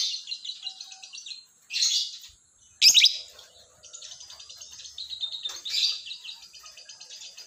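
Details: In the morning a lovebird twitters with high, grating chirp trains, several louder shrill squawks standing out among continuous chatter.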